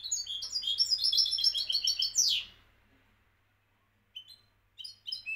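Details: Champion European goldfinch of Morocco singing a rapid, tinkling trill that ends in a falling buzzy sweep, then silence and a few short twittered notes, over a faint low hum.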